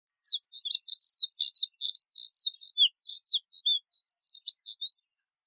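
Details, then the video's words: Moussier's redstart song: a continuous, rapid warbling run of high, scratchy chirps and short whistled slurs, some rising, some falling, lasting about five seconds in a steady chattering stream with no other sounds. "Colirrojo Diademado Canto! Colirrojo Diademado Llamado! Voz! Sonido! - Phoenicurus Moussieri"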